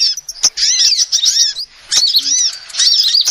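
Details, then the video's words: Female sunbird giving thin, rising-and-falling twittering notes in quick bursts, separated by short silences, with sharp clicks; the recording is used as a lure. "SUARA ASLI KOLIBRI BETINA"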